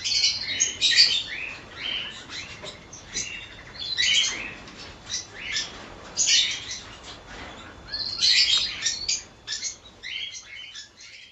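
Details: Colony of cockatiels heard in uneven waves of sharp chirps and short squeaky whistles, louder clusters every couple of seconds separated by softer chatter.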